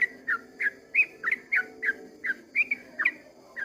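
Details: Dawn 'ropel' song of a sooty-headed bulbul: loud, liquid whistled notes repeated several times a second, alternating upward and downward slurs, over a faint low drone.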